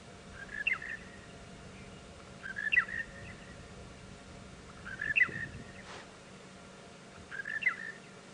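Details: In the morning on April 3 on Djuma Game Reserve, South Africa, a monotonous lark, one of many around, calls constantly: a short, bright, slurred phrase repeated four times about every two and a half seconds over a soft hum.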